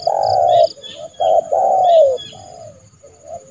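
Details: Trained decoy spotted dove calling a rival into a yard trap; loud drawn-out coos, the last sliding downward, followed by softer cooing notes and faint higher chirping in the background.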